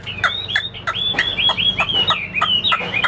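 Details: Caged Chinese hwamei gives quick rising-and-falling whistled notes about three a second, each tied to a harsh lower click, in an energetic, choppy phrase.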